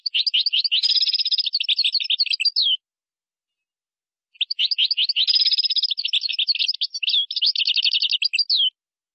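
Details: European goldfinch singing in the Moroccan style, with gazarat and srrr bertbertio phrases: two long bursts of fast, liquid twittering and buzzy trills separated by a pause of about one and a half seconds, against a silent background.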